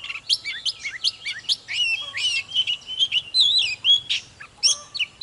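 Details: Fired-up song of a caged Oriental magpie-robin: a rapid stream of sweet whistled notes, sliding glissandos and short scratchy elements, nearly continuous, with a faint low hum in the background.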